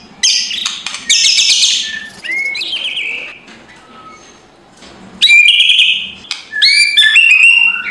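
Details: Morning lure of white-rumped shama kretekan: harsh broadband bursts and buzzy rattles, a quiet lull, then renewed bright whistled phrases with stepped rising notes.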